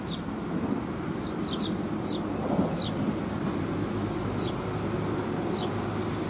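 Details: Eurasian tree sparrow young being fed by adults, 6 May 2021; a few widely spaced sharp high chirps, some doubled, amid a quieter low background murmur.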